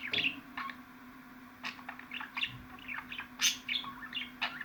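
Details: Budgerigar calls: scattered bright chirps and squeaks with quieter gaps between them and a steady low hum beneath.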